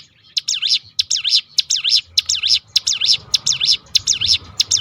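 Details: Rolling 'tembakan' of ciblek gunung, the hill prinia, played to make other birds sing: a steady, fast string of shrill V-shaped chirps, almost two per second, continuing without break.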